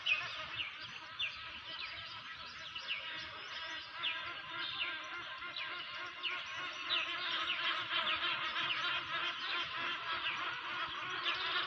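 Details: Early-morning dawn chorus in Hawassa, Ethiopia: many birds with overlapping high whistles, chirps and quick descending notes blending into a steady wash.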